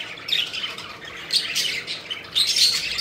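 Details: Pet budgerigars squawking and chirping during play, scratchy bursts rising and falling roughly once a second, with a short whistled note near the end.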